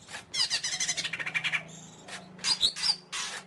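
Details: Greater green leafbird singing: dense bursts of rapid, varied chattering and whistled notes, a quick run of repeated notes, then a pause and further bright, squeaky phrases with sharp accents.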